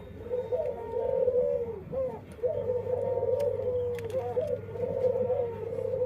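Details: Unique-voiced dove whose song is said to stand out from others; rolling, quavering low coos in long connected phrases with brief breaks, faint ticks and a low hum behind.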